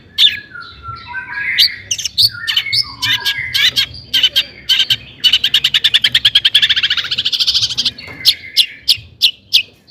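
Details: Long-tailed shrike in lively 'gacor' song, used to stir other shrikes into singing; varied whistles and swooping notes give way to a long, rapid rattling trill, ending in spaced sharp chips.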